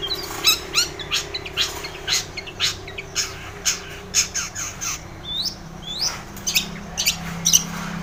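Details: Harsh long-tailed shrike song, offered as a prompt to make silent shrikes sing: grating squawks repeated roughly twice a second, mixed with a few downslurred whistles, over a faint low hum.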